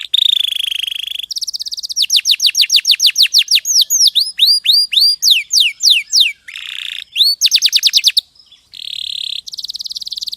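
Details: Canary tutor song from a champion bird: a shifting sequence of rolling tours, with steady buzzy trills, rapid downward-sweeping whistles, hooked rising notes and short pauses between phrases.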